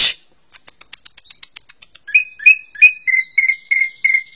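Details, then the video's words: Greater green leafbird (cucak ijo) begins with a rapid ticking chatter of high clicks, then shifts into slurred whistles and a steady run of evenly spaced clear notes about three per second. "CUCAK HIJAU - Burung Ccucak Ijo 23"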